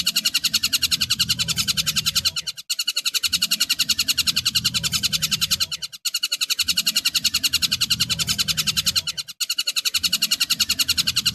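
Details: Kingfisher, tengkek buto, in a recording used to train cendet birds: a loud, harsh, rapid rattle of even notes, about three or four per second, in runs broken by short gaps.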